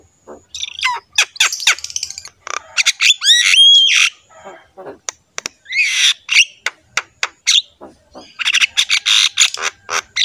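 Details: Javan myna singing hard as a tutor for other mynas: sharp clicks and chips, a rising whistled slur, scratchy buzzes and fast rattling bursts, with no other sounds.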